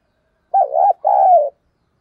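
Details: Captive decoy spotted dove cooing excitedly: two loud, mellow, low phrases, the first wavering with a brief dip in the middle, the second a long, slightly falling coo. The background is otherwise silent.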